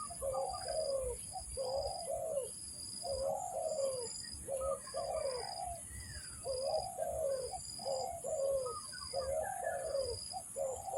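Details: Spotted dove coos for trapping, low hoarse double notes, short then long and descending, repeated in a regular run, with faint chirps and a continuous high whining tone behind.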